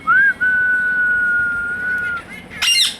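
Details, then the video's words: Pet Indian ringneck parakeet speaking "Hello" and "Mithu": a short rising tonal note, then a long level sustained tone lasting nearly two seconds, closed by a harsh high squawk. "Indian Ringneck Parrot Says "Hello" & Mithu Mithu"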